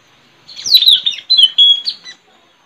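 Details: White-rumped shama singing wild in forest, taped during trapping: one loud continuous phrase of rapid high slurred whistles and clear sustained notes, about two seconds long, with a quiet background.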